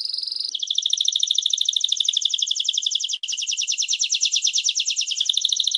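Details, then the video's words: Canary gives a long-duration "jerih" mastering song used to train other songbirds, a long, continuous run of rapid, high trills and rolls, switching phrases every few seconds with barely a pause. "AUDIO BURUNG KENARI, SUARA JERIH DENGAN DURASI PANJANG"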